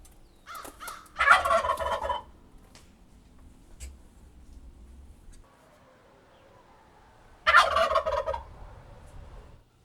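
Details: Two loud, rolling gobbles from a turkey, about six seconds apart. Each is a harsh, quavering burst, with a softer murmur of calling in between.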